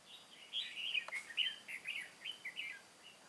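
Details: Caged decoy red-whiskered bulbul from Cao Phong, used to lure wild birds into a trap on 23 August 2018, delivering a lively continuous string of chirpy, warbling whistles with a single click near the start.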